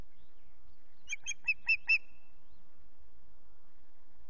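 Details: Osprey calling at its nest at Loch Garten on a 19 April morning during repeated intrusions by another osprey: five sharp, chirping whistled notes in quick succession, rising in strength, the last trailing into a thin tone.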